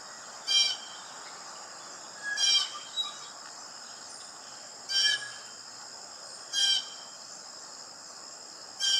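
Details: Blue jay uttering harsh, grating calls, five abrupt bursts roughly every two seconds, one followed by a fainter echo call, over a continuous high buzzing background.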